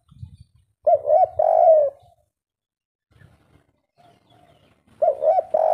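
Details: Spotted dove (tekukur), local wild "kuk 3" singer in full voice. One low coo phrase of two short notes and a long drawn coo, then a pause with faint clicks, then another phrase begins with rounded coos.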